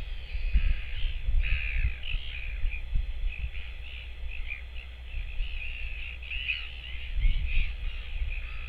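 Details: A northern royal albatross chick, filmed on a nest camera on 24 July 2024, a day when no parent returned, gives harsh, raspy calls in a rapid, uneven series, with strong wind rumbling underneath throughout.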